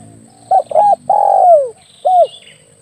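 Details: Spotted dove coo used as a hunting lure, a short stuttered pair, a long descending coo and a final short arched note, over low rumbling background and faint high chirps.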